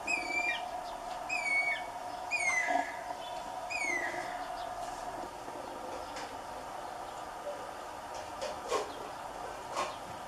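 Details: Guira cuckoo (Guira guira), a social open-country bird of Brazil, gives four falling whistled notes about every 1.2 seconds, then falls quiet; steady background hum and a few soft clicks follow.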